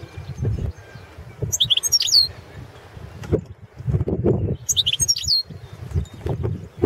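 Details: European goldfinch (balcanica) entered in the 2017 World Championship in Goldfinch Song, giving two short bright twittering phrases of high tinkling notes, with intermittent low knocking and rustling sounds between them.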